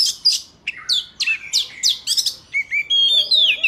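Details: Oriental magpie-robin giving wild forest song, meant for trapping and teaching young birds: rapid downslurred whistles and chips, then longer sweet drawn-out whistled notes at the end, with faint background hiss.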